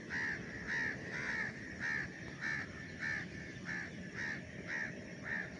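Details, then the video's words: A crow calling nearby on an early morning in Lahore, Pakistan: a harsh caw repeated steadily about twice a second, around ten calls in a row, over a low hum of city background noise. "इधर से एक कौवा बोल रहा है।"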